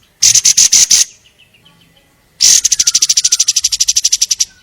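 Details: Long-tailed shrike in lively song: a short, loud burst of about six harsh, high notes, a quiet gap with faint chirps, then a long, rapid rattle of evenly repeated buzzy notes.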